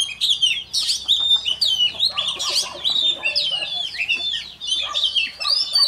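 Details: Oriental magpie-robin, a freshly caught wild bird, practising its morning song: a dense, continuous run of bright whistles and rapid downslurred chirps, loud and unbroken throughout, with a faint low hum behind.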